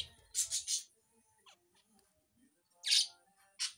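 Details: Budgerigar (Melopsittacus undulatus) in the wild giving three quick, harsh, high chirps in a row, then after a pause two more scratchy chirps; faint tonal background sounds underneath.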